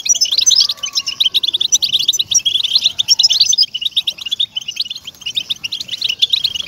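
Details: European goldfinch, its song offered to motivate captive goldfinches. Loud bursts of bright, rapid twittering, with a sharp, tinkling flourish at the start, continue steadily, and a brief soft whistle sounds early on.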